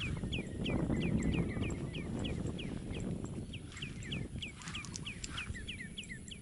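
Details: Shorebirds on the mangrove-lined east coast of Aceh, Sumatra, Indonesia, giving a rapid run of sharp, down-slurred chirping notes, several per second, over a steady low rumble of wind or surf.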